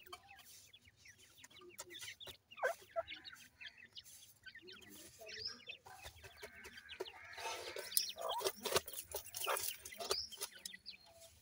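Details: Francolin (teetar) chicks calling in scattered high peeps that build into a denser, noisier burst midway, with clattering and rustling throughout.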